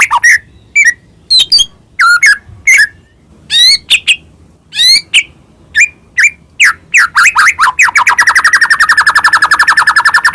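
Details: Energetic white-rumped shama song, of the Medan type and rich in fills, used as a lure to provoke other shamas into singing. Separate whistled and slurred phrases around two kilohertz, then a long, fast, buzzy repeated trill over the final two seconds.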